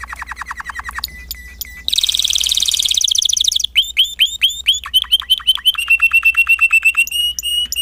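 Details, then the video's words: A Timbrado canary sings a fast, varied song: rapid trills, rolling metallic phrases and quick downward-slurred whistles repeated several times a second, high and bright throughout; Belgian canary song. "Kicau Kenari Timbrado Espanyol"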